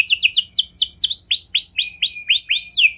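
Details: Canary song intended to make other canaries sing: a lively run of arched, downward-curving whistled notes, loud and close, repeated several times a second with slight variation.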